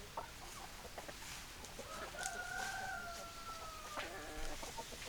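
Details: Rooster crowing among clucking hens: one long drawn-out crow held level and slowly falling for about two seconds, with short clucks before and after over steady background hiss.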